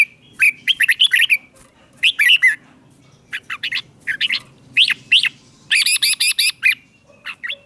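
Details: Red-whiskered bulbul from Thailand giving southern-style song meant to excite caged birds and teach young ones; dense rapid phrases of bright chirping, warbled notes, repeated in quick clusters with short gaps.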